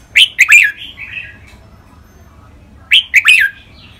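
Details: Thai caged red-whiskered bulbul singing training song in a contest between two birds, with styles named rik, double, lak wai, mae bot and note counting. Two quick bright phrases of sharp notes, each trailing into a softer warble, come three seconds apart.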